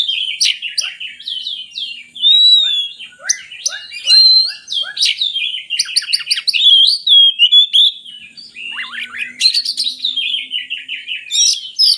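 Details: Lure recording for sluggish magpie-robins: an oriental magpie-robin pours out loud, varied song with whistled slurs, a rhythmic series of short falling notes, and rapid chattering trills.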